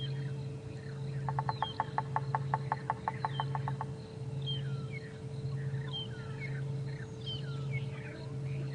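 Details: A woodpecker taps a quick, even burst of about fifteen knocks over two seconds in the distance, during an afternoon safari drive at Djuma and Arathusa on 12 November 2014. Rollers call noisily in the background over a steady engine hum and scattered high bird chirps.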